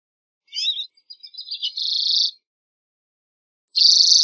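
A common redpoll gives high chattering notes that run into a dry, buzzy trill, then trills again.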